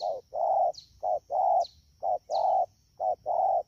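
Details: Close, loud low coos from a wild-caught spotted dove recorded in Đak Tô on 3 October 2019 in the rainy season: four rapid short-long pairs, with brief high chirps of another bird and a steady thin tone behind.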